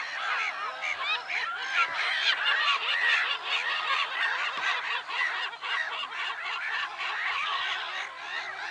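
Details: Black-headed gulls at Lake Sarymsak, Pavlodar region, Kazakhstan, recorded on 10 April 2011: a dense, unbroken chorus of harsh, squealing calls from many birds, overlapping rapidly with no pauses.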